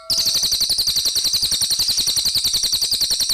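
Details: Cililin singing in a lively, energetic style: a fast, steady run of high, sharp chirping notes, about three or four each second, continuing without pause throughout.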